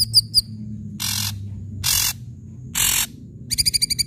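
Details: Ashy drongo singing loudly as bait for quiet drongos: two bright chips, three long harsh rasping notes about a second apart, then a fast burst of ringing chips.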